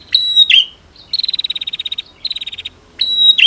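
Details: Female and male prinia calls used to provoke a silent bird: a few high sliding chirps, then a long, rapid, buzzy rattling trill, a shorter second trill, and a final sharp chirp.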